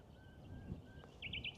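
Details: In a field at Minster Marshes, Thanet, Kent, a Common Nightingale sings faint drawn-out pure whistles, then three quick, bright chirped notes in rapid succession, over a low rumble; another nightingale sings nearby.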